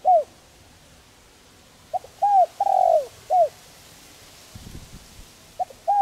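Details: Spotted dove's soft calling coo, used to encourage decoy birds to coo: a short note, a curved coo, a long sustained coo and a clipped closing coo. A brief low thump is heard near the end.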